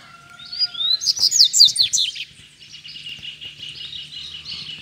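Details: Rusty-collared seedeater released near a caged male, birds coming in to fight: a loud, fast burst of sharp slurred notes, then a softer continuing twitter, with a faint steady tone beneath.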